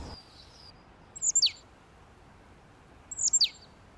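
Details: Eurasian nuthatch (Sitta europaea) giving two sharp, high notes that sweep steeply downward, spaced about two seconds apart, with a faint thin whistle at the start and a quiet background.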